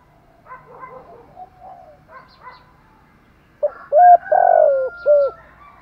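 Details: Spotted dove cooing for dove training: faint twittering chatter first, then a loud phrase of a sharp short note, a long rolling falling coo and two closing coos.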